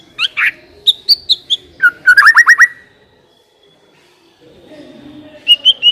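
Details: White-rumped shama song used as a lure to start a shama singing: rising and falling whistles, a quick run of repeated clipped notes, silence, then a few high whistles.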